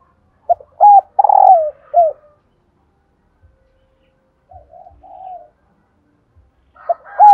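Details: Female spotted dove calling to stir males into cooing: a clipped note, a looped hollow coo, a long purring coo falling in pitch and a short final coo, then soft murmured notes and a fresh phrase starting.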